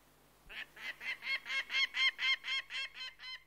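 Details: Harsh, grating calls from a peregrine falcon, a steady run of about twelve cackling notes roughly four per second, loud in the middle and fading slightly at the end, with a faint low hum behind.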